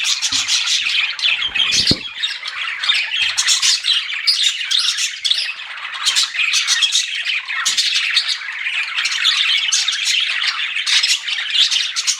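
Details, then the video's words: Several pet budgerigars chatter while flirting, their rapid, overlapping chirps and warbled squeaks forming a constant busy wash, with a few low thumps and a click around the second second. "CUTE PET BUDGIES CHIRPING"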